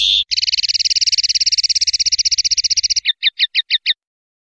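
Swiftlet calls: a high, buzzy rattle of about forty rapid clicks lasting nearly three seconds, then five separate sharp chirps, cleanly recorded without other sounds.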